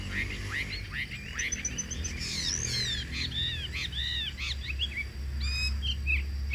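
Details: Caged Chinese hwamei singing in Vietnam: varied loud whistled phrases with rising and falling slurred notes, some rapid trills and a high repeated note, steady low hum underneath and some music.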